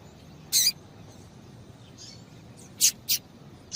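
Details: Female rusty-collared seedeater calling to stimulate a male to sing: three short high, sharp chirps, one isolated and two close together near the end, over quiet background hiss.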